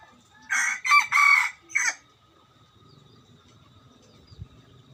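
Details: Rooster kept as a decoy for trapping, crowing once in a harsh, broken phrase of about four loud segments, then quiet with soft bird whistles and low rustling in the background.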